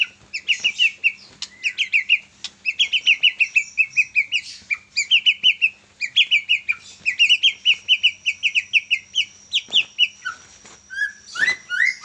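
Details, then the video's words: Young Medan white-rumped shama, recently out of its speckled juvenile stage, delivering long bursts of rapid, rhythmic chattering notes in repeated series, ending with a few looser whistled slurs. "Murai batu medan lepas trotol ... Gacor juara"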